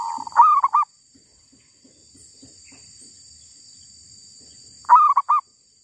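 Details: Wild female zebra dove, caught while trapping in the wild: two short bursts of soft, warbling, stuttered coos, one near the start and one about four and a half seconds later, over a steady high insect drone and faint ticking.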